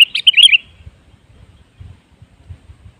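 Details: Lure song of a sooty-headed bulbul, used to encourage other birds to sing: a single quick, gurgling phrase of warbled notes. Faint low thumping follows afterward.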